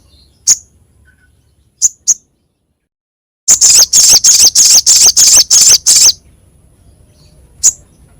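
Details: Crescent-chested babbler, sharp and harsh in voice, for training cage songbirds: a few isolated high rasps, then an even rattle of about ten grating notes, then a single final note.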